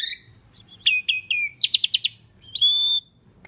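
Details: Asian pied starling song used as a lure for other birds: quick whistled notes, a rapid rattle of five harsh clicks, then a sustained nasal buzzy whistle.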